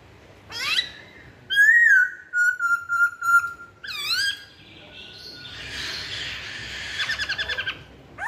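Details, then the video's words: Masked laughingthrush giving a lure song: loud clear whistles, a long level slurred whistle, then a run of short ringing whistled notes, followed by a softer scratchy chattering passage and a final rising whistle. "Kicauan Poksay Hongkong"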